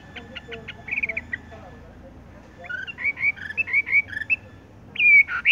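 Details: Horsfield's bush lark, 'tung roll' song style: a few clipped ticking notes, a pause, then a run of bright chirped whistles leading to a louder slurred whistle, with faint background murmur.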